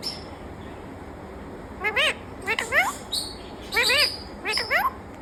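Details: Talking parrot voicing short harmonic, speech-like phrases in four bursts around two, three, four and four-and-a-half seconds, each with stacked rising and falling tones, over a steady background hiss.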